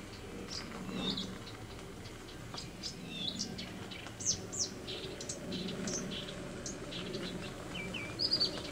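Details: A Blyth's reed warbler sings a loose run of varied high chirps, clicks and short whistles in July 2015 at a peat-works site near Korolyov.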